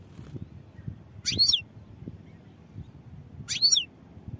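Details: Two brief high goldfinch phrases about two seconds apart, each a dense twitter with a quick rising and falling whistled slur, separated by quiet.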